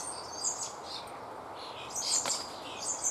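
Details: A single common starling nestling, nearly ready to fledge, begs from a woodpecker nest cavity when the parent is late, giving harsh, wheezy, high rasping calls in short bursts about every half second against a faint outdoor hiss.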